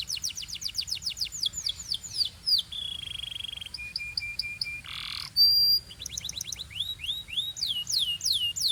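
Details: Canary song in a Belgian singing style, several birds joining in: rapid series of descending whistled sweeps, a steady buzzy trill, short pure tones and a harsh burst, then more falling sweeps repeated quickly.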